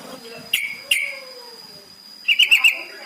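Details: Yellow-vented bulbul lure to prompt captive birds to sing: two sharp separate notes, then a quick bubbly burst of about four chattering notes, with a thin steady high tone throughout.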